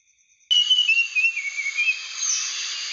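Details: Blue flycatcher, known locally as sikatan Aceh, a rare protected bird: after half a second of quiet, a clear whistled phrase slurs gently downward, then trails into steady high hiss.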